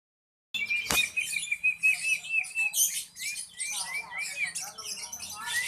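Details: Songbird in breeding condition, starting to try out its song, delivering a rapid, varied stream of high chirps, trills and sliding whistled notes with a sharp click near the start.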